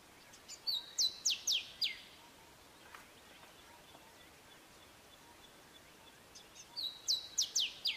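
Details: Male Grey Sunbird singing its short, sharp phrased song: two short bursts of high, down-slurred notes, about four per second, separated by a pause of several seconds over a faint hiss.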